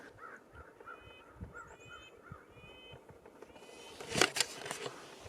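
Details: In winter woods, a distant Red-breasted Nuthatch gives its laughing call, quick runs of nasal, tinny toots, with a thin, high series overhead and loud rustling near the end.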